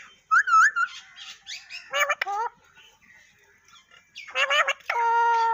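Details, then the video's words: Parrot talking in bursts: quick wavering chirps, rough nasal squawks in clusters, and a final steady harmonic tone held about a second, recorded close indoors. "Tota Boltay Huay Kesa Lag Raha Hai _Totay Ke Awaz"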